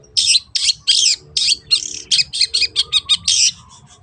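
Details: Long-tailed shrike singing as a lure to make other birds sing: a rapid series of harsh, buzzy notes, about a dozen in four seconds, shortening and quickening toward the end, with a faint low hum beneath.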